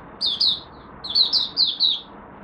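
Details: Brief warm-up phrase from a Malaysian oriental white-eye, the first of the day: two high chirps, a pause, then four quick descending chirped notes.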